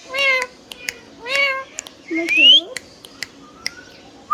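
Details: Pet green ringneck parrot, a few drawn-out speech-like syllables with soft harmonics, one bright rising whistle and scattered clicks over a quiet room.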